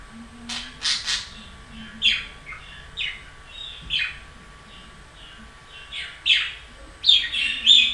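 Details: Budgerigar chirping softly and irregularly, short scratchy notes scattered through the clip, with a cluster of louder calls near the end.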